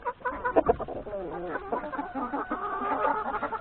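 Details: Chickens, hens and three roosters at breakfast in the yard before heading to the forest to graze: a dense chorus of overlapping clucks and murmuring calls from many birds.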